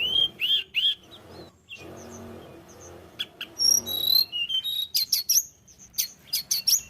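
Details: Sunda robin singing as a lure for other birds: looping whistled notes, a quieter stretch with faint background hum, then sharp high chips and whistles repeated in quick bursts.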